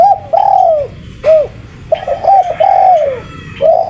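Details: Spotted dove cooing repeatedly, smooth arched notes, some short and some drawn out, delivered in runs separated by short gaps; close recording with quiet background.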